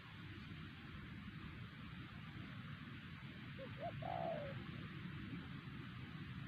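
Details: Wild spotted dove at Siosar, a target bird lured with a trained decoy, giving a single phrase: two soft, brief notes, then one longer, slightly falling hollow coo, with steady background hiss.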